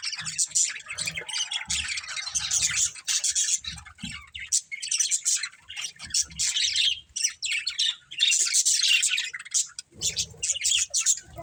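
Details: Family of pet budgerigars chirping nonstop, a busy overlapping chatter of scratchy warbles, clicks and high squeaks with little pause.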